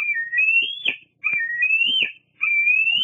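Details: Bald eagle squeeing near its mother at Fraser Point in August 2022: three high whistled squeals, each climbing slowly upward and closing with a crackly burst, roughly one per second.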